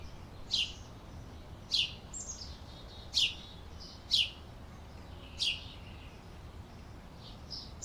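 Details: Canary repeating brief, piercing chirps that drop quickly in pitch, spaced about one to one and a half seconds apart, with quiet gaps between them and a soft background hiss.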